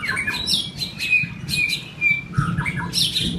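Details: White-rumped shama in form building gives quick varied whistles and chattering notes, with steady whistled tones running through, over a noticeable low rumbling background.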